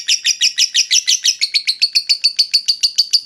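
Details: Lovebird ngekek trill used to rouse rival birds, a short run of evenly spaced rasping pulses, around five per second, settling onto a steady pitch.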